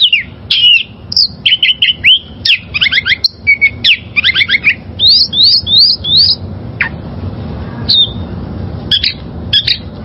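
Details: Liyar, or wild-caught, oriental magpie-robin song used to train caged birds: quick runs of sharp chirps and whistled upslurs, some repeated in series of three or four, faint background hiss.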